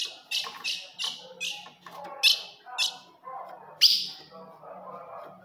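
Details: Ultramarine grosbeak female call, used to provoke a kept male: sharp, high chirps in irregular bursts of about one to three notes, with one loud rising note near the end and faint low murmuring underneath.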